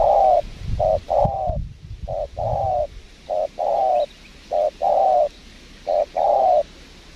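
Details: Low hollow cooing of a spotted dove responding to a lure bird at a windy trapping spot in Lombok, short and long notes in steady pairs, with faint rustle beneath.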